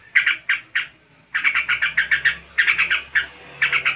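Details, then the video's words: Yellow-vented bulbul in vigorous song, delivering its 'tembakan' shots in the rattling 'ngebren' style: harsh, squawky notes fired in quick bursts of three to seven, separated by short pauses, with faint low background hum. "Tembakan SUPER, Trucuk ngebren (gacor)"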